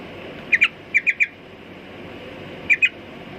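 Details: Sooty-headed bulbul uttering clipped, sharp chirps in small groups of two and three, separated by pauses, over a low steady hiss.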